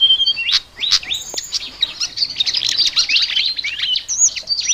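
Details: Flycatcher in chattering song, locally called ngoceh: a fast, dense run of high, sharp chirps and upslurred whistles packed closely together, with a few brief pauses.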